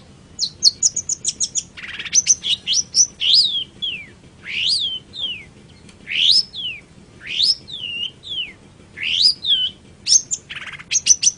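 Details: Long-tailed shrike training lure song: a steady series of high sweeping whistles, many dropping sharply in pitch, with fast clipped chirps between, repeated roughly every half second over eleven seconds.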